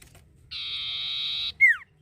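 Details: Common iora (cipoh) song used as a lure to stimulate other birds to sing: a steady, buzzy, harmonic-rich tone held for about a second, then a sharp downward-slurred whistle. Quiet background.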